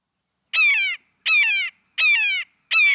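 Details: A Red-shouldered Hawk, a forest buteo of riverside woods whose calls are often mimicked by blue jays, gives four loud harsh downslurred kee-ah screams, about one every three-quarters of a second, with clear pauses between them.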